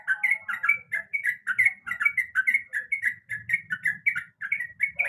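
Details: Lure recording of a female yellow-vented bulbul calling to the male: slurred, whistled chirps falling in pitch, repeated steadily several per second over a faint low rumble.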